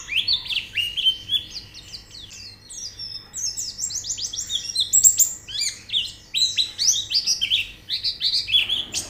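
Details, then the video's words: White-eye song meant as training audio to prompt a bird to sing: rapid, jumbled high chirps and downslurred whistles tumbling over one another for the whole stretch, bright and continuous, over a low steady background hum. "Terapi Pleci Cepat Gacor Buka Paruh"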